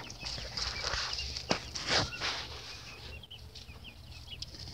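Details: Baby chicken chicks peeping: thin, high, short downward-sliding cheeps in quick, uneven succession, mixed with soft rustling and thumping handling noise and a steady low hum.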